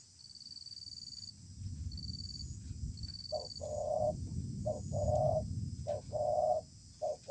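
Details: Tenacious wild spotted dove calling during a contest under a communal house: low, hollow cooing phrases, repeated in short groups, with a steady high insect whine and faint chirps behind.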